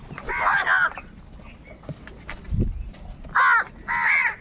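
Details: Crows fighting over food: a pair of harsh caws opens, a quiet gap with a low thud follows, then two loud rasping caws close the stretch.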